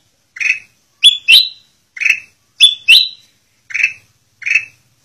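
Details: Training song of a Black-crested bulbul for captive birds: hoarse downslurred notes alternate with a ringing pair of upward whistles, repeated roughly every second, with quiet gaps between.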